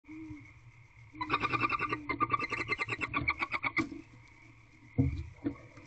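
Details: Female barn owl in an owl box at night, 10:12 pm on 26 February 2023, eating a rodent; a rapid burst of harsh, pulsed chittering notes runs about two and a half seconds, then falls quiet before two brief louder thumps.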